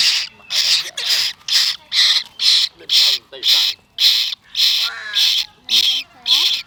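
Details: Parrot chick begging as milk is prepared at the morning feeding: steady, rhythmic rasping shrieks, close to two per second, with a person's voice talking softly underneath.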